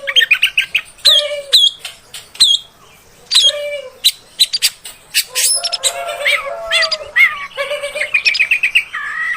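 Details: Female oriental magpie-robin voice intended to rile males: sharp harsh notes, descending whistles over low nasal tones, then a busy stretch of rapidly repeated chattering notes ending in a whistled phrase.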